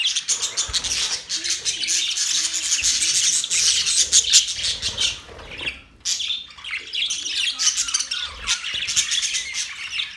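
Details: Group of budgies, pet parrots, heard on October 11, 2023 in continuous high-pitched chatter: rapid scratchy chirps, warbled squeaks and squawks packed together, dipping into a short quiet gap midway before the busy flock noise resumes.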